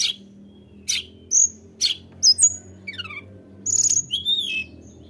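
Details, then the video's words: Blood-breasted flowerpecker singing vigorously to provoke rivals, mixing sharp ticks and high squeaky notes with a short descending buzzy series and ending in a shrill chatter. "tledekan gunung gacor Memancing emosi lawan"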